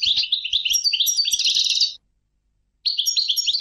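A European goldfinch sings a fast, tinkling run of liquid twitters and buzzy trills, high-pitched and jumbled, pausing briefly before resuming.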